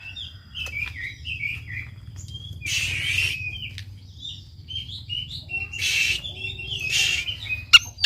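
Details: Lure song of an Oriental magpie-robin for stimulating a lazy bird to sing: short whistled and chattering phrases with two noisy, rasping bursts, against a soft low hum.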